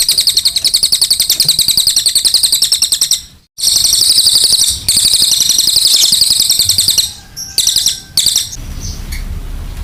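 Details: Brown cililin singing energetically for tutoring, rapid high-pitched chattering trills in long runs, interrupted by short gaps, ending with scattered squeaky notes.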